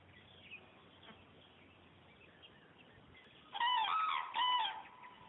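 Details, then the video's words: Cranes flying away, giving loud trumpeting calls with stacked harmonics, two rolling bursts near the end after a long quiet stretch of faint outdoor background. "Журавли улетают"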